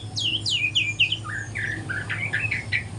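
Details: Young spotted-plumage white-rumped shama learning to sing in the morning: a run of high whistled notes sliding downward, followed by lower, quicker warbled phrases. A steady low hum sits underneath.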